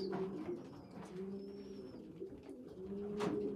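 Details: Young pigeons indoors, a weak, poorly developed youngster feeding bigger well-developed youngsters; low droning coos held in long steady bands, with faint thin high squeaks above and soft clicks.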